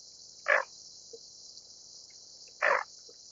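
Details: Greater scaup, also known as bell duck, giving two brief, rough, grating notes about two seconds apart over a constant high-pitched hiss.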